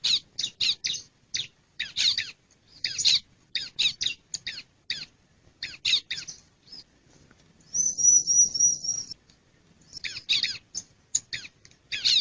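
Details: Male bar-winged prinia: long irregular series of sharp scratchy chip notes, interrupted once by a high steady trill of about a second and a half.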